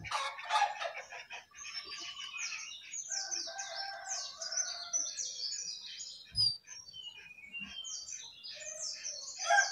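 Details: Jongkangan singing steadily on top of its cage: a long, dense, chattering warble of quick high twitters and slurred notes, with a couple of soft knocks in the background.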